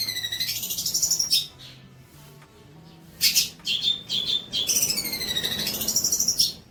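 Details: Training song for young birds from a long-tailed shrike: a loud descending whistled sweep, a quiet gap, then chattering notes and another long falling whistle, all over a faint low hum.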